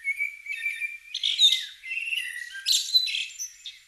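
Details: Common blackbird singing at dawn in the British countryside in spring: a low mellow warble giving way to dense, high, scratchy twittering in quick bursts, with no other sounds standing out.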